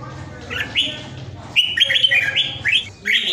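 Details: Caged Vietnamese red-whiskered bulbul kept at home during the Covid outbreak, praised as a powerful 'ground jet' singer: after a quiet hum, short bright whistled phrases, then a rapid run of rising and falling warbled notes.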